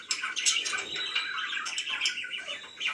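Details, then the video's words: Pet budgerigars chirp indoors, busy warbling twitters and a thin whistled tone over a noisier, more muffled background. "#chirpingbirds #budgie"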